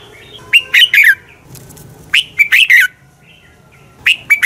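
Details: Morning fighting song of a red-whiskered bulbul, a lure recording meant to train and excite other bulbuls to sing: quick phrases of three or four warbled, slurred whistles, repeated about every two seconds, with faint low background hum.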